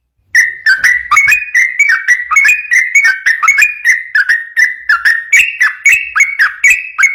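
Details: Sooty-headed bulbul in continuous lively song, used as a lure for training other bulbuls: unbroken stream of short whistled notes, rising and falling slightly, roughly three per second throughout.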